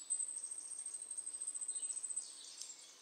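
A Goldcrest sings a very high, thin series of rapid, evenly pulsed notes, ending in a brief, quicker flourish. The song is faint, with a soft background hiss.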